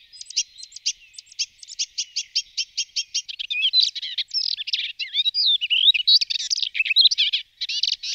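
A Melodious warbler opens with a fast run of dry, repeated chips, then breaks into a hurried, scratchy, jumbled warble of high twittering notes.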